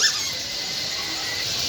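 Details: A large house sparrow flock gathering on electric wires and in a bakul tree, as every afternoon after Asr, at Bakultala, Bhangura bazar, Pabna, Bangladesh, makes a dense, unbroken wash of high chirping with no single voice standing out.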